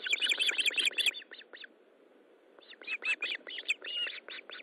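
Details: Evening fish delivery at an Osprey nest, 13 July 2012, 20:15: a burst of quick, piercing chirps, a brief pause of about a second, then another uneven volley of high, sharp notes.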